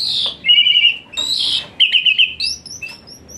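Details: Asian pied starling with hot fast phrases for therapy of a lazy singer: a trilled whistle twice between harsh buzzy bursts, ending in high thin whistled notes.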